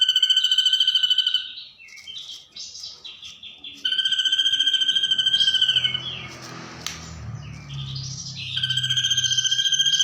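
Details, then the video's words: Ashy drongo mimicking a 'kunti' sound as a songbird training recording: bursts of fast pulsed whistles alternate with varied chirps and slurred notes, interrupted midway by a low rumbling noise before the pulsed whistling resumes. "Masteran burung srigunting nembak suara kunti"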